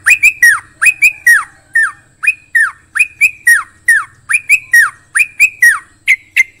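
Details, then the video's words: Bubbly song of a Yellow-vented Bulbul: paired and triple down-slurred whistles, loud and clear, delivered in irregular bursts with brief pauses between them. "Trucukan bisu djamin langsung GACOR"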